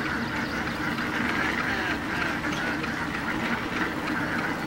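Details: Flock of hundreds of Indian ducks feeding in dam water: a continuous mass of rough quacking calls blending together, with a constant low rumble underneath.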